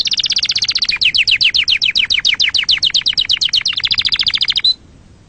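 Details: Canary singing to rouse other birds and train chicks: steady runs of rapid, evenly repeated chirping syllables, changing tempo midway, lasting almost five seconds before stopping.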